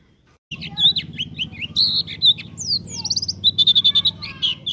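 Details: White-eye (pleci) singing in a lively way, used as a lure so that other white-eyes start singing: rapid high, twittering chirps and slurred whistles, varied and tumbling, over a steady low hum.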